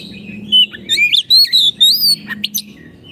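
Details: Oriental magpie-robin, caged, singing as a training model for silent caged birds: wavering whistled phrases climbing and dipping, harsh bursts and clicks, over a soft low hum.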